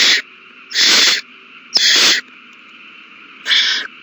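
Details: Owl chicks at their nest during a large feeding, 27 March 2020, with all the young eating well; four harsh, broad hissing screeches, each about half a second long, separated by quiet pauses, with a steady low hum behind.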